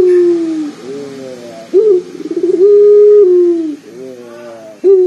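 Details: Loud, deep cooing from a local Barbary dove kept as a lure for other doves: low steady droning coos broken by a quick rolling burst of pulses, falling away and starting over twice in a repeating cycle.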